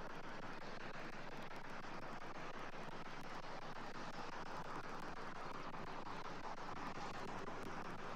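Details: Steady broadband rumble like distant traffic or wind fills the whole recording with no animal calls.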